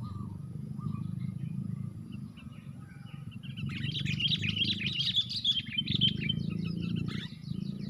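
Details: Sooty-headed bulbuls fighting four against one while being trapped: sparse chirps give way to a long, loud run of rapid, excited chattering notes, with constant low background rumble.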